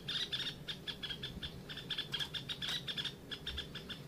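Red-whiskered bulbul giving quick bursts of bright, chirpy notes in rapid succession, with a faint low rumble underneath.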